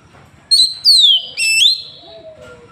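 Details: Oriental magpie-robin from Woncoyo, Trenggalek, Indonesia, captured on an Android phone delivering a short powerful phrase: a sharp note, a long falling whistle and a sustained level tone, then faint lower whistles.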